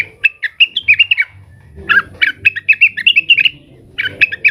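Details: Agitated leafbird (cucak wilis) calling to rivals: quick strings of bright, slurred chirps in two main bursts separated by a short pause, each note clipped and evenly spaced.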